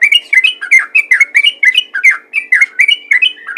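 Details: Fast, bubbly chatter of a yellow-vented bulbul in the 'ropel ngalas' calling style meant to attract other bulbuls; short liquid notes rising and falling, about four per second, continuous throughout.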